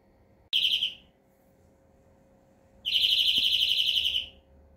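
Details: European greenfinch song: a brief high note followed by a long, even, buzzy trill of rapid pulses lasting over a second, in a quiet setting.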